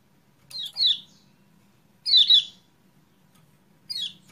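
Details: Lure chirps of the kecial kuning for a bird reluctant to sing: a doubled descending chirp, a louder doubled burst after a second, then a softer single falling note, over a faint low hum.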